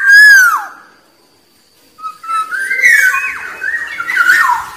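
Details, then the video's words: Black-naped oriole: a loud, rich whistle sliding downward, then after a brief pause a run of liquid, fluty warbled notes. "SUARA BURUNG KEPODANG"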